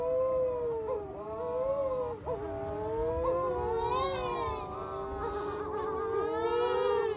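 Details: Night chorus of young storm petrels (Matamanoa bird) on Matamanoa Island, Fiji, hidden in bushes; many overlapping wavering wails blend into a continuous moaning, with high trilling chirps in the background.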